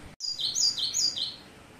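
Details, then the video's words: Great tit song with many variations: high clear notes alternating between two pitches, repeated three times in under two seconds, after a single click. "gelatik batu pastol variasi banyak isian"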